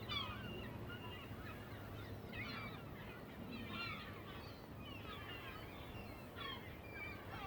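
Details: Many birds from a big flock settling onto a New Jersey lake call together in a dense chorus of short, bending notes that swell in bursts, with a low steady drone underneath.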